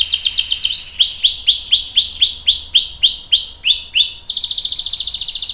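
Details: Canary song for prompting and tutoring young and adult canaries: a run of rapid upswept whistles slowing into a series of rising notes, then a switch to a fast buzzy high trill.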